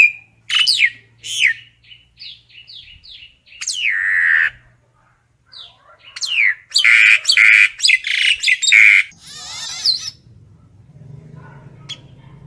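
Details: Common myna calling to its flock: spaced squawks and sliding whistles, a pause, then a dense stretch of harsh, gurgling chatter before fading into quiet background hum.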